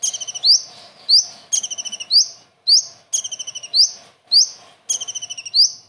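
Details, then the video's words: Common iora singing a full kingfisher (tengkek udang) imitation: a quick stuttered run of high, sharp notes ending in a bright rising slurred whistle, repeated about every second in a clean recording. "KONIN ISTIMEWA ISIAN TENGKEK UDANG"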